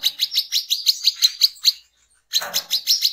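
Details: Brown-throated sunbird, in song described as 'ngecret ngeplong' and used as a lure to call others of its kind: quick high chirps repeated several times a second, then a short pause before the chirping resumes.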